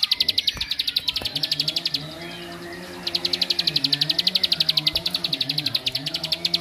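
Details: Bar-winged prinia song meant to agitate other prinias: quick strings of sharp, high chips, a one-second lull with a low droning hum, then a longer, steady rapid series of notes.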